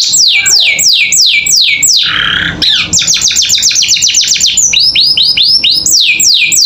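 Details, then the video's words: Canary giving a 'gacor isian' full song for tutoring young birds: looping downslurred whistles, a brief harsh buzzy note, then a fast clipped trill and more arched whistles. "Masteran Kenari Gacor Isian Cocok Buat Paud Belajar Bunyi"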